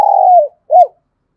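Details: Decoy spotted dove calling to lure wild birds: a long, level, hollow coo that slides down at its end, then a brief arched coo note, close and loud.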